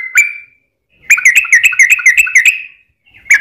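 A Yellow-vented Bulbul gives bubbly, liquid notes: a single slurred note, then a fast chattering run of about ten notes, then another lone note.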